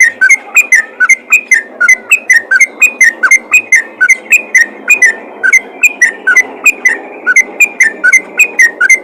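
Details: Yellow-vented bulbul calling other bulbuls, giving a steady stream of loud, liquid whistled notes that slide up and down, packed closely together at a fast, even pace for nine seconds, sharp clicks above each note.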